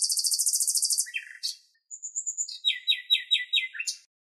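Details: A male Cirl Bunting singing on a rock in Greece, in cloudy, windy weather, gives a fast, dry, metallic rattle on one high pitch for about a second, then thin whistles and a run of repeated downslurred notes.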